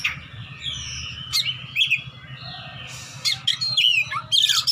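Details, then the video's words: Fighter Oriental magpie-robin looking for a rival, ngeplong style: long sweeping whistles and clear slurred phrases, then a burst of rapid sharp notes near the end, with a constant low droning hum behind. "kacer petarung cari lawan//ngeplong-ngeplong"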